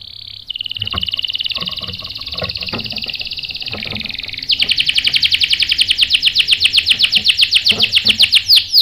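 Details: Canary singing to provoke a reply from males: a sustained high buzzy roll, then a louder, faster trill of rapidly repeated notes after four seconds, with faint low clicks beneath.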